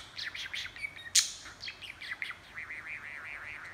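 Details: Budgie chattering steadily: quick wavering chirps, one loud sharp click, then a run of rolling, looping warbled notes.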